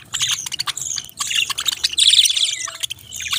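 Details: Chattering budgerigar warble: quick, harsh, high-pitched chirps and trills running almost nonstop, with a loud dense burst in the middle and a low background hum.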